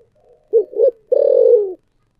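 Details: A single thổ sấm-style spotted dove phrase: two short, abrupt coos, then one long, steady, slightly falling low coo.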